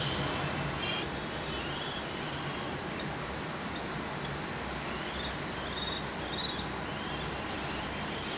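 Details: In spring in Cairo, a male common kestrel calls for a mate by a house. Scattered high, slurred notes, then a cluster of three or four loud arched cries near the middle-end, over constant low city noise.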